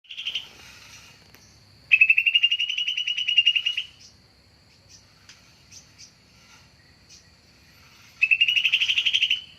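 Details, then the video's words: Greater green leafbird lure recording for attracting birds: two rapid buzzy trills of about fifteen pulses a second, rising slightly, separated by a few faint scattered notes over a steady high thin tone. "Suara Pancingan/dan suara PIkatan Cucak Ijo"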